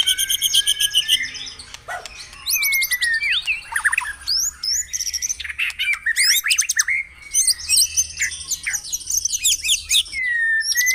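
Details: White-rumped shama in a morning recording for stimulating caged birds to sing: long, varied song of clear whistles, buzzy high trills and sharp clicks in changing bursts, with brief gaps between phrases.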